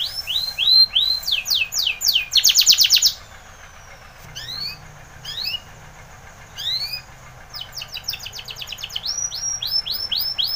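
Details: Spanish Timbrado canary training song: quick bursts of descending sweeps and a dense trill, broken by quiet gaps with a few isolated chips and low background hum, then rapid repeated notes resuming.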